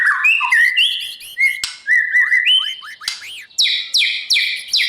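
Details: White-rumped shama singing at dawn to train for song contests, mixing smooth level whistles and warbled phrases, then repeated loud high downslurred notes about every half second, with faint chirps of other birds.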